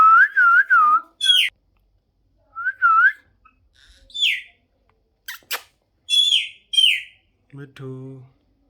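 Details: Pet parrot vocalizing indoors: a run of clear rising-falling whistled notes, then sharp squawky chirps and short bright whistles, with a few low, buzzy, voice-like sounds near the end.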